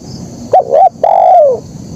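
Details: Spotted dove, actively singing in 'kuk 1' style: a short coo and a rounded second coo run together, followed by a long steady coo that drifts downward at the close, faint hiss behind.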